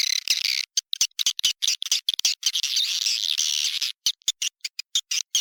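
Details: Many swiftlets chattering inside a swiftlet house, recorded as the Raja Liur calling sound: a continuous shrill, buzzy twitter with quick rippling notes, interrupted by short dropouts and a longer pause near the end.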